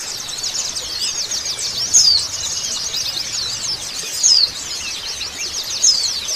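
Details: Oriental white-eyes in a dense group chorus intended to make birds respond and sing fast: continuous high twitter with a louder, sharp falling note standing out roughly every two seconds.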